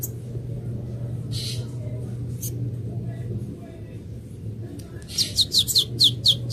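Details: Juvenile saffron finch: after several seconds of low hum with a couple of isolated high notes, a quick run of about seven sharp, downslurred high chirps at a steady rhythm closes the clip.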